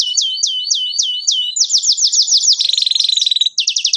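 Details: Canary, a strongly singing bird used as a lure recording to teach young canaries their song; rapid repeated down-slurred whistles give way to a buzzy fast trill, then a lower rattling roll and a final bright rapid series.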